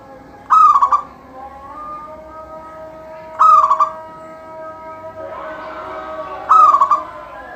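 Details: Singing local zebra dove, used to prompt other doves to sing: three rippling, stuttered coo phrases about three seconds apart, with a burst of rustling noise just before the last one.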